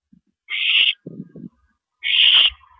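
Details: Owl calling at a mouse delivery on the evening of 13 April 2012, 9:17 PM: two rasping, breathy screeches about half a second each, separated by a short burst of low scratchy rustling.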